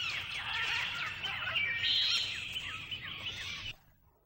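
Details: Pet lorikeet recorded indoors: dense, high, rapid chirps and short twittering notes run together in a steady stream for nearly four seconds, with a low hum underneath, then it stops abruptly.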